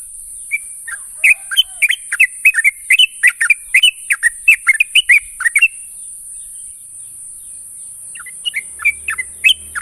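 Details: Sooty-headed bulbul calling companions in the morning: rapid series of short, liquid, downslurred chirps, tightly bunched for about five seconds, then a pause and a second looser burst; a steady high-pitched whine runs underneath throughout.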